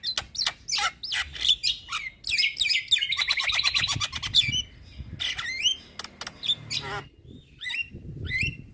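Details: Black-winged myna delivering a dense, rapid chattering song of high squeaky and trilled notes, with a fast rattling run in the middle, then scattered sharper whistles toward the end.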